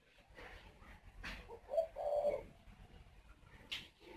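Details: Captive male spotted dove at a breeding aviary in Ba Vi, Hanoi, northern Vietnam, going up to the nest and cooing to urge the female to lay the next clutch; one short, low, mellow coo phrase over faint background noise.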